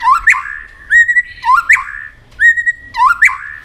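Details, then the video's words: White-rumped shama in competitive singing: a two-part phrase, a rising whistle followed by a long level note, repeated about three times at an even pace. "chòe lửa hót đấu đập đuôi căng lửa"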